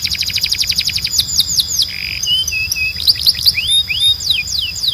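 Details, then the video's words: Timbrado canary song for training: a rapid rolling trill, then a buzzy note, low flat whistles and varied upward and downward swoops in an uneven sequence. "Canário Timbrado 🎶 Som de Alta Qualidade para Encarte e Treinamento"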